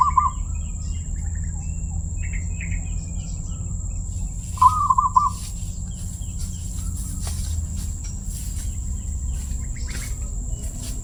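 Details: Zebra dove, whose song is praised as crystal-clear, delivers two brief trilled cooing phrases several seconds apart, each a quick string of even notes. Faint higher chirps come from other birds, over a low rumbling background and steady high whine.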